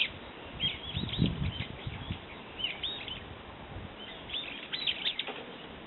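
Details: Brown-eared bulbul uttering scratchy, twisting high notes in two clusters, over a background of low rumbling noise.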